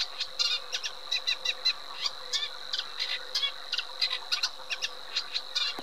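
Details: Eurasian reed warbler's chattering song, short harsh notes given in quick pairs and triplets, jerky and uneven in rhythm, with a steady high background hum.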